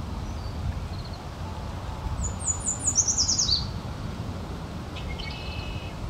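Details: American goldfinch chirping: a quick series of thin, very high descending notes lasting about a second, then a few softer high chirps, over steady broadband background noise.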